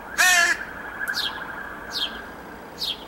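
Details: A young crow begging from its parents on 21 July 2017 gives one loud, harsh, nasal whine-like caw with strong harmonics, followed by a few thin, high, downslurred chirps in the background.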